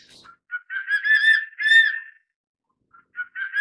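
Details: Crested serpent eagle (Spilornis cheela hoya) giving loud, ringing whistled notes that run together into a two-second phrase, followed by a few shorter clipped whistles.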